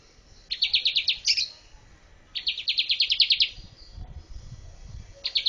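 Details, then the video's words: Bar-winged prinia singing as a master song for training birds: fast trills of sharp, repeated high notes, about ten per burst, in two bursts separated by pauses, a third starting at the end. "MASTER BIRD CHIRPING BAR-WINGED PRINIA SINGING"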